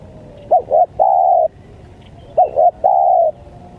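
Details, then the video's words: Lure call of the spotted dove, 'menekan' style, for wild birds: two clear phrases, each a pair of short rounded coos followed by one long steady coo, in a quiet setting. "Pikat Tekukur,Menekan, Tekukur Liar"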